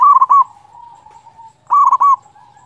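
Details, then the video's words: Local zebra dove in full song, meant to make quiet doves start singing; two loud, throaty cooing bursts under two seconds apart, each trailing into a soft hum. "pancingan perkutut lokal gacor suara ampuh bikin lawan cepat bunyi"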